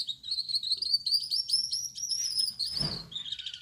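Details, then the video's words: Male Gouldian finch with yellow back, red head and white chest singing at night: a steady run of thin, high, buzzy-whistled notes at a nearly constant pitch, broken near the end by a short broadband rasp. "Suara Burung Gould Amadin Gacor || Gouldian Finch Singing Gacor"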